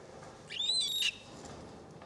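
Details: A three-week-old umbrella cockatoo (Cacatua alba) chick gives a single rasping, wheezy begging call, about half a second long, with a thin whistled edge. The rest is quiet.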